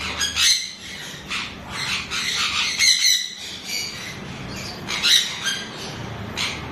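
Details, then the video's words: Severe (chestnut-fronted) macaw with its mate gives harsh, raspy squawks in uneven bursts, some overlapping, against a faint background hiss. "Severe chestnut fronted Macaw with his love"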